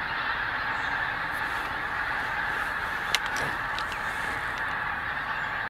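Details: Dawn flight of geese over Invergowrie Bay, Dundee, Wednesday 19 October 2016; thick, constant wall of overlapping honks from many birds, with one short sharp click a little past the three-second mark.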